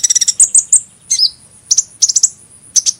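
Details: Rapid high chirps open the phrase, followed by a short descending squeak and several doubled or tripled sharp tseet notes spaced apart, with a thin steady whine behind.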